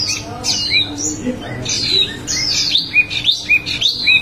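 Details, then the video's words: Small minivet giving a vigorous 'ngerol' song of loud, high downslurred whistles and short upswept chirps, irregularly spaced and closely overlapping, with a constant faint hum in the background. "wambi mini gacor ngerol"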